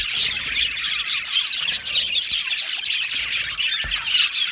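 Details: Budgerigars kept as an aviary colony, a crowd of chirps, warbling twitters and occasional rasping squawks, loud bursts rising and falling roughly every couple of seconds over steady background chatter.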